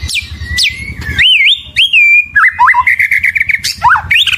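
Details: White-rumped shama, locally murai batu, gives clear looping whistles and rising notes, then a quick chattering series of short notes, with low background rumble early on.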